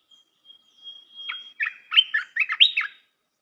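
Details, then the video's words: Red-whiskered bulbul singing, a recording used to train young birds: a thin high whistle runs under a lively series of about six bright, bubbly warbled notes. "เสียงนกกรงตาแดงEp.168 เสียงหัดนกลูกเสอ เพลงเพราะ น่าฟัง"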